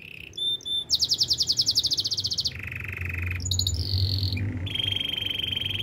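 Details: A wild canary sings a chain of even trills: a high rapid silvery roll, a lower steady rattle, then short bright phrases and a sustained high trill. Faint low hum underneath.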